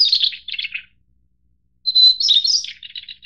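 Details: White-browed Shortwing, Brachypteryx montana goodfellowi, a Taiwan endemic subspecies of mountain forests. It gives the tail of one warbled phrase, a pause, then a bright steady whistle breaking into a quick rising-and-falling jumble of notes and closing twitters.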